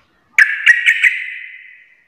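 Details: Brief outburst from a sooty-headed bulbul (trucuk) singing hard in garuda style: four quick, harsh accented notes, then a buzzy tone fading out over about a second.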